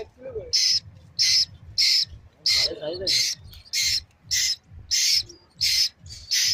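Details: Baby Asian koel calling: short, harsh, hissing bursts repeated steadily about every two-thirds of a second, eleven in all, over a low background hum with a brief faint lower sound mid-clip.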